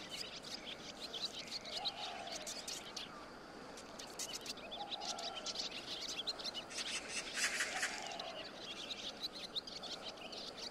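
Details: Barn swallow giving scattered short, high chirps and twitters that thicken into a dense burst of rapid twittering near the end, over steady background noise with a low droning sound swelling roughly every three seconds.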